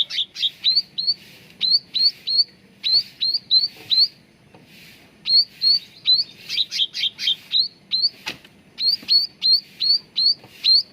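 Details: Sooty-headed bulbul training sound to make birds sing: steady, rhythmic series of sharp, upward-hooked high chirps in groups of three to four, repeated almost without break, with one brief click.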